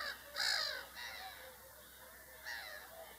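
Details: Whooper swan (Cygnus cygnus), call.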